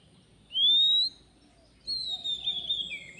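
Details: Wild Oriental magpie-robin at a bird-trapping spot. Two long, pure whistled notes, the first rising, the second a sustained wavering phrase ending lower, over a low hum of background noise.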